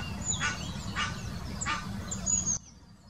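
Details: Egyptian goose mating call recorded in 2018 in the Wittlicher Senke: three loud, rough honks about half a second apart, with a thin high whistle from another bird before a sudden cut.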